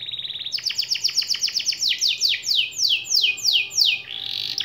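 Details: Canary song used as a master to make quiet canaries reply and roll: a short buzzy trill, a fast series of slurred notes, then slower loud swooping notes about two per second.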